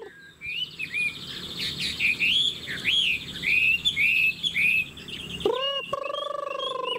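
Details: Chinese hwamei, a kept songbird with spread tail, giving a lively series of slurred whistled notes; near the end a steady, low, buzzy drawn-out tone breaks in.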